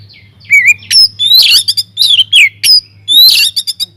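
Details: Oriental magpie-robin singing energetically inside an aviary, used as a lure to get other birds singing: loud, varied whistles, sweeping slurs and harsh chattering bursts in rapid sequence, with a steady low hum beneath.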